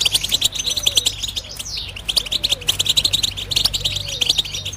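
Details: Goldfinch (European) batbata song: bright, fast, squeaky twitters and rattling trills pour out continuously, with one clear rising whistle. A soft, low, repeated coo runs quietly in the background.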